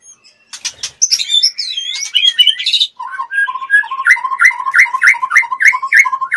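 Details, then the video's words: Female white-rumped shama in breeding condition, wings fluttering: high rasping notes and rapid looping whistles, then a steady series of short, paired chip notes repeated about three times a second. "MURAI BETINA BIRAHI NGLEPER-NGLEPER MINTA DI ENCUS-CUSS"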